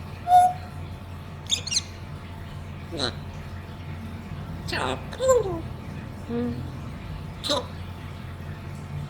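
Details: A pet African grey talking parrot hums a tune: a string of short hummed and whistled notes, some sliding downward, spaced a second or two apart, with soft Malayalam speech nearby.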